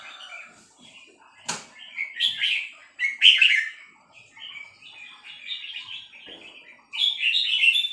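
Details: Three-syllable style song of a female red-whiskered bulbul: a run of lively whistled, chirping phrases, some louder and buzzy, with a few quiet clicks between them and a strong closing phrase.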